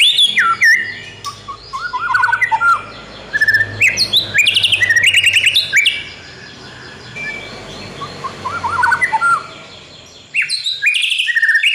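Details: Oriental magpie-robin kept for training other birds: dense, varied song of fast chirps, slurred whistles and trills in bursts, with a brief quieter stretch mid-way.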